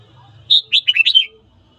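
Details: Red-whiskered bulbul song at morning, played to excite other birds to fight: a single lively phrase of about five sweet, slurred whistles delivered in under a second over a faint low hum.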